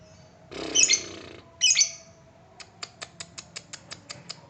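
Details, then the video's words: Two harsh, grating squawk bursts open this lovebird lure recording, followed by a steady series of crisp high ticks in the ngetik style, about five per second, meant to provoke trilling. "Love bird ngetik pancingan"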